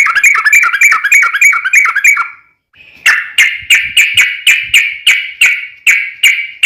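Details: Trucukan, the sooty-headed bulbul, giving a long rolling lure song to make other bulbuls sing: a quick string of bubbly whistles, a short pause, then loud sharp chirping notes repeated about three times a second.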